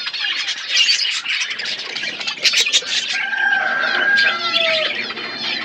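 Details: Budgerigars eating seeds in a natural outdoor aviary: warbling chatter of several birds with squawks, some longer whistled notes near three to four and a half seconds, and sharp clicks.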